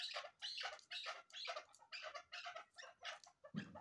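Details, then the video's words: Female chukar partridge calling. Rapid series of harsh, noisy clucking notes, about ten in under four seconds, spaced roughly a third of a second apart, ending with a low thump. "keklik sesi chakor birds vlvoice awaz sound farmi dasi madi bast shikari female"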